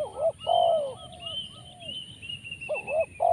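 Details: Spotted dove (tekukur), a calling bird noted for many rolling 'rrr' notes, gives deep cooing notes with a rolling burr in short bursts, while a high thin whistle from another bird runs steadily behind.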